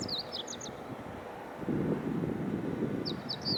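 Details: Meadow bunting singing: a quick high phrase of sharp, twittering notes at the start and another brief burst near the end, over a steady low rumble of traffic noise.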